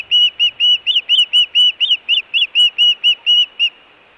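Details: Osprey calling at a nest camera site at Hellgate, Montana, in June 2017, a steady series of clear whistled chirps, roughly two each second, some notes peaking sharper in the middle, then the calling stops.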